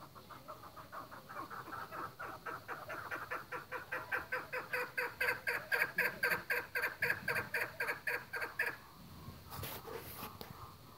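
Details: Chukar partridge at a breeding farm giving a rhythmic series of harsh chuck notes, about four per second, swelling louder over eight seconds before stopping, followed by a few clanks and knocks.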